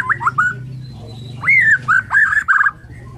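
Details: Borneo white-rumped shama singing in the morning, a song said to prompt other shamas to sing; short whistled phrases, a rising and falling swoop, then clipped notes over a low steady hum.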